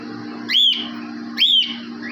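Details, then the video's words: Cockatiel in an aviary calling twice, about a second apart: loud, clear whistles that sweep up sharply and slide back down, each lasting about a quarter second, with a faint low hum beneath. "Cocktail Parrot Voice Aviary"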